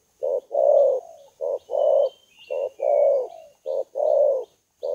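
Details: Low, hoarse cooing of a spotted dove as a lure call: paired notes, a short coo then a longer rolling one, repeated about four times. Faint high thin bird notes sound in the background.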